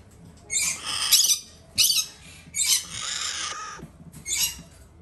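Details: Indoor pair of young red-shouldered macaws, hand-fed females from a Japanese breeder; a series of about five coarse, buzzy squawks spaced roughly a second apart, some with a rising edge.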